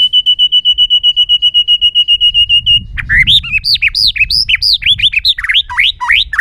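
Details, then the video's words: White-rumped shama, a trained songbird: a long run of identical short whistled pips, about six a second, then an abrupt switch to loud, varied, looping whistled phrases rising and falling rapidly. "chòe lửa hót nhiều giọng rừng hay"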